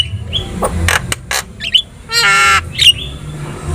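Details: Javan myna song for training birds to respond: a few rasping buzzy bursts, a drawn-out harsh harmonic squawk and short whistled notes, with gaps between them.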